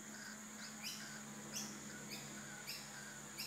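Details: Rainbow lorikeets mating in the bush: short harsh screeching notes, each a stack of rising buzzy tones, repeated roughly every half second over a steady low hum.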